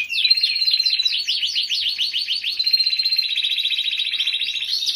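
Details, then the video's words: Caged-style canary rolling song for tutoring other songbirds: quick sweeping notes tumbling into a long, even, rapid trill that holds steadily to the end. "Kenari Ngerol parah Pas Buat Masteran"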